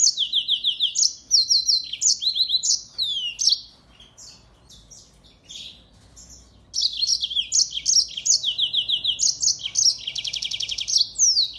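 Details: Mozambique finch, the singing finch known as African canary, a cage songbird in full song used to tutor other birds: long runs of quick high chirps and sweeping notes, a brief quiet gap, then another lively phrase with a buzzy trill.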